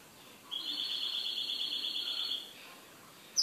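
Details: Caged goldfinch giving a soft, sustained, rapid high trill for about two seconds against a quiet background.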